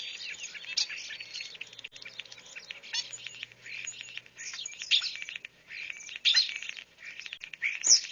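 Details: European Starling recorded in Zion National Park: a busy jumble of high squeaks, clicks, rattles and thin whistles, with sharp whistled notes near the end.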